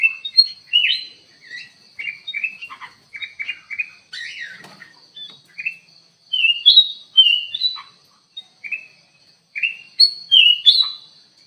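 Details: Black-crested bulbul singing vigorously in an aviary, used as a lure bird: short whistled and chirped phrases, many rising or falling, repeated about three times a second in irregular bursts, over a steady high background tone.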